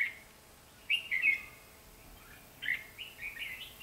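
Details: Red-whiskered bulbul recorded during trapping on 23 October 2016, giving two short bursts of bright, warbled chirping notes, one near the start of the recording and a second, longer run toward the end, over a quiet background hiss.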